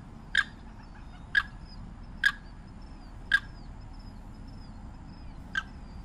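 Limpkin giving five loud, harsh, clipped screeches about a second apart, with faint high chirps of other birds and a low background rumble.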